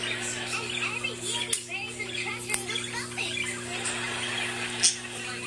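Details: A budgerigar warbles to another budgerigar in a steady, chattering stream of quick squeaks, clicks and short whistles, with a low electrical hum underneath.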